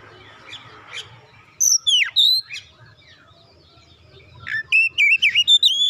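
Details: Oriental magpie-robin, a young bird drawn into song, delivering a few sharp descending whistles then a fast series of clear repeated whistled notes near the end, with a quiet gap between and low background hum.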